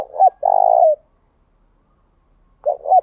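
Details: Spotted dove decoy cooing to draw responses from wild doves. A clipped double note leads into a sustained, rough, low coo, then silence before the next stuttered phrase starts.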